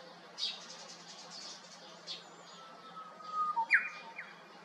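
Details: Japanese bush warbler on 7 May 2021, perched at the top of a hiba cypress by a vacant neighbouring house. Scattered soft chirps lead into a long level whistle, which ends in a bright, twisting burst of notes.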